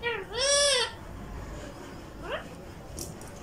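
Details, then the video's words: Talking pet ringneck parakeet from Vehari, Punjab, Pakistan, speaking Urdu words: one loud, drawn-out, arching, nasal syllable rich in overtones, followed by a brief quieter rising note and a faint hiss near the end. "Ring neck talking every thing with raw Ring Neck In URDU"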